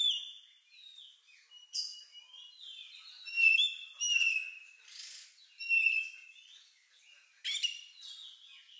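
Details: Oriental magpie-robin giving an unusual song said to resemble a lovebird, used to prompt other birds to sing; varied high whistled notes and short bright chirps in scattered bursts, some sliding phrases, quiet gaps between.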